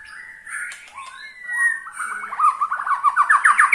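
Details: Ketrekan call of a white-rumped shama, used to stir other shamas into song: scattered whistles, then a quickening series of short repeated chattering notes building in loudness.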